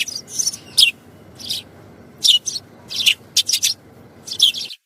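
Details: Sparrow giving short high chirps, singly and in quick pairs, spaced by pauses of about half a second, over a quiet background.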